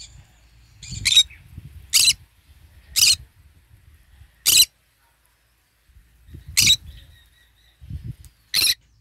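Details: A green-cheeked conure, basking in the morning sun while eating and singing, gives seven short, harsh, high screeches, roughly one every second, with faint low rustling between them.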